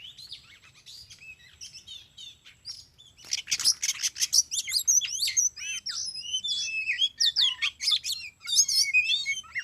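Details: Oriental magpie-robin (kacer) being lured on a concrete road; soft twittering opening, then a loud rapid run of sharp whistles, buzzy notes and slurred trills, densely packed and varied.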